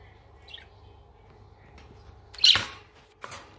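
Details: Two budgerigars after a fight, the male seemingly courting the female: a faint chirp, then a loud, harsh, buzzy squawk and a softer rasping note.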